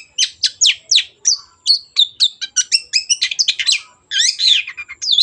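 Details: Energetic "gacor" singing of a long-tailed shrike used to prompt other birds to sing: dense run of loud, sharp, downslurred notes and twisting whistles, accelerating into a stuttering series before a short break.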